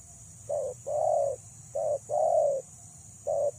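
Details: A female spotted dove calls to lure males with mellow low coos, a short note followed by a long sustained one, repeated in steady pairs over a faint constant hiss.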